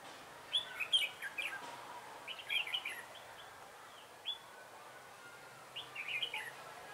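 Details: Decoy red-whiskered bulbul used for trapping, recorded 3 November 2017, giving cheerful liquid warbles in three separate bursts, each a quick cluster of slurred notes, with quiet gaps between them and faint background noise.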